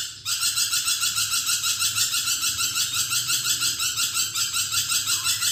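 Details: After a brief pause, a vocal lorikeet launches into sustained rasping, buzzy screeching, rhythmically pulsed about three times per second until the end.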